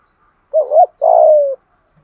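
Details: Spotted dove calling in the morning in the loud, clear giọng thổ style: a quick two-part hooting note, then a long, smooth coo that slowly falls in pitch. The background is quiet.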